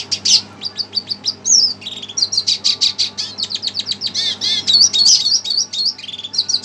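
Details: Red siskin agitated on hearing a played recording, singing a fast, unbroken run of high twittering chirps and sharp trills, with a few buzzy slurred notes woven through the middle.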